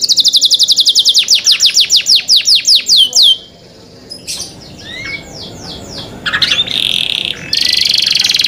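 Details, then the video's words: Canary song of the cenkok style: a fast series of repeated downward-sweeping high notes, then a pause with scattered chirps and a short rising whistle, ending in a loud sustained high trill. "LUXURY CENKOK CANARI SOUND, CLEAR SOUND"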